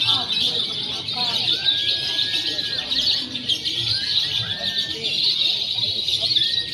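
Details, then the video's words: Lovebirds in a simulated free-action contest, mixing konslet, fighter and paud styles, used to train birds before competing; a dense, continuous high shrill chatter with sliding whistled notes threaded through it. "SIMULASI LOMBA LOVEBIRD BEBAS AKSI (KONSLET, FIHGTER, PAUD)"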